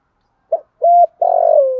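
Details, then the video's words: Gù thúc coo of a spotted dove, used to urge caged training birds into cooing. A brief clipped note, a level smooth coo, then a long grainy, trilling note that falls in pitch and is cut off. Still background. "cu gáy gù thúc, tiếng chim cu gáy kích bổi nhanh nổi"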